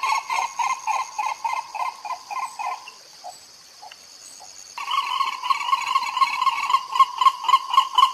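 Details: White ibis from Costa Rican national parks, 2021, Fujifilm XH1 recording: a fast run of hoarse honks, a brief pause, then another dense, louder honking series, with steady insect buzzing throughout.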